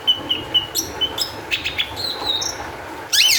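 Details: Long-tailed shrike in lively, high-emotion song, meant as a lure for other shrikes: clear level whistled notes repeated evenly, then rasping bursts, a thin rising whistle, and a loud harsh scratchy phrase at the end.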